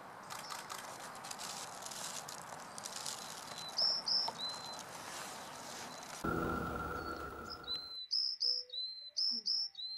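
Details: Varied tit giving high, thin, repeated call notes, first over loud broadband noise, then clearer in quieter surroundings toward the end.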